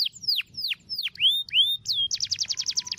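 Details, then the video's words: Canary tutor song with long roll phrases: loud descending whistled sweeps, rising slurred notes, then a quick rattling trill of repeated high notes; clean recording with slight low hum. "MASTERAN KENARI ROOL PANJANG"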